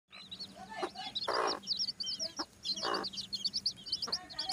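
Chickens clucking with broadband bursts, over constant high cheeping of many chicks.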